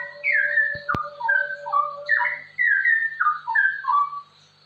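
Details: Straw-headed bulbul in rapid 'ropel' song for training other birds: rich gurgling whistles sliding downward in fast phrases, with a couple of sharp clicks early on and a faint steady tone beneath.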